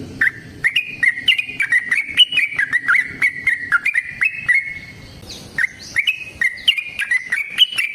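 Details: Lure recording of a yellow-vented bulbul singing a long, combative rolling song meant to prompt caged birds to reply: rapid chains of whistled, slurred notes, briefly breaking near the middle before resuming.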